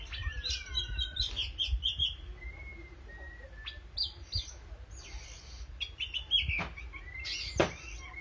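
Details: Vigorous song of an Oriental magpie-robin: a varied string of clear whistled notes, some long and level, others short and sweeping, with brief scratchy bursts and a couple of sharp clicks over low background rumble.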